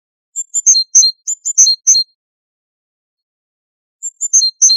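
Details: Great tit song used for training goldfinches: a quick cluster of piercing high chirps and slurred notes lasting under two seconds, then a silent gap before a second brief burst of similar notes.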